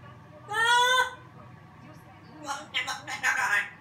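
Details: African grey parrot giving a half-second rising, harmonic-rich whistle, then a pause and a burst of raspy, speech-like chattering syllables.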